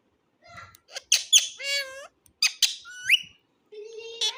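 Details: Ring-necked parakeet mimicking foreign-language words: a rapid series of throaty, gravelly syllables and squawks with sliding pitch, a rising whistled note, then a buzzy drawn-out nasal sound.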